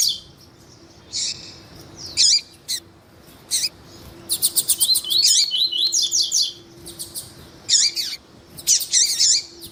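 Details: Captive double-collared seedeater, male singing with a calling female, played to stimulate other males: high, bright chirps and sweeping notes, quick buzzy trill bursts, and short rising slurred phrases separated by brief pauses.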